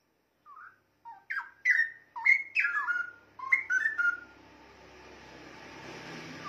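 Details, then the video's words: Straw-headed bulbul song meant for training songbirds: soft rising notes lead into a quick series of loud, bubbling, slurred whistles over three seconds, followed by a steady background hiss. "Suara Burung Cucak Rowo Untuk Masteran"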